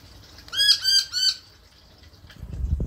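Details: Rainbow lorikeet, a lone male that visits an Australian garden daily, calls while inspecting a fish tank: three rasping, rhythmic squawks in quick succession, followed by a soft low thud.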